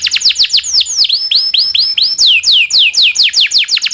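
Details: Local canary's long song with rolls, played for shamas, magpie-robins, green leafbirds and other songbirds to learn: varied high whistles, some rising and others sharply falling, in quick uneven series.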